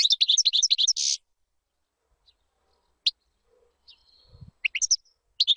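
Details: European goldfinch, song meant for training chicks: a fast chirping phrase ending in a drawn-out nasal buzz, then scattered single chirps, a thin whistle and a faint low rumble before chirping resumes.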